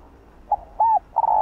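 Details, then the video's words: Spotted dove (cu gáy) in the hạp bổi voice style: a brief soft note, a rounded arched coo, then a sustained mellow coo that is still running as the clip ends. "Cu Gáy Giọng Hạp Bổi ĐỦ BÀI..GỌI +THÚC + GÙ Kích Bổi Sung Mãn"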